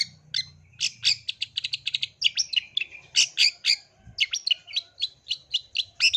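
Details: Female Long-tailed Shrike calling to the male: a long run of sharp, high chattering notes repeated rapidly, changing pace now and then, over a faint low hum.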